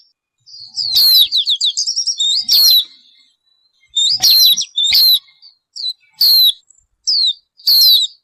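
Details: Bird singing clear, high whistled phrases of slurred notes, opening with a rapid rippling trill, then shorter phrases of sweeping whistles about every second, with no other sounds.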